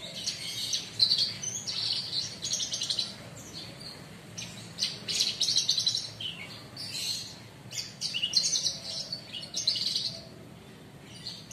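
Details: Caged bushlark, a kept songbird said to be in full song after less than a month, sitting relaxed: dense run of high, chirpy, scratchy twittered phrases, bursts of varied notes coming in quick clusters with brief pauses, over faint background hum.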